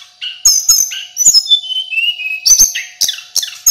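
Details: Male local mountain sulingan in full, vigorous song, kept as a training recording: loud, high whistled phrases and sharp buzzy notes tumbling rapidly one after another with quick falling and rising slurs, clean and close with no other sounds.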